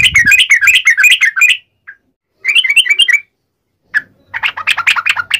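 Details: Fighting song of a yellow-vented bulbul, 'ngalas uplik ropel' style, used to provoke other bulbuls into replying: quick runs of sharp, warbled chirps in short bursts with brief gaps, plus a lone single note between them.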